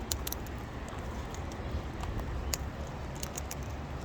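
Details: Dense low rumble, like traffic, is heard with scattered sharp clicks and crackles and no animal calls.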